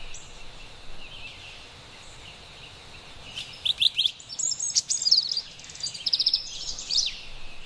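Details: Carolina wren singing in an autumn forest: after a quiet start, a run of bright, rapid chirping phrases, high and rhythmic, bursting in quick groups over a steady soft hiss of background noise.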